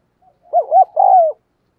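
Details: Decoy spotted dove, eager and frequent in its calling, used to incite wild doves. A three-note phrase: two short rounded coos, then a longer sustained coo that slides down.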